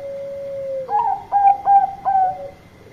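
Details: Bangkok-type zebra dove singing loudly to summon companions: a steady low drawn-out coo slides into four strong, evenly paced, clipped coo notes, over a faint constant high whine.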